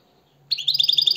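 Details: European goldfinch song: after half a second of quiet, a bright run of rapid, tinkling high notes bursts in, repeated about ten times a second.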